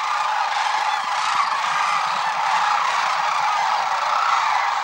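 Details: Massed sandhill cranes during their March 2016 migration on the Platte River at Gibbon, Nebraska: countless overlapping rolling calls merge into a continuous clamor, with a few clearer trumpeting notes rising above the steady din.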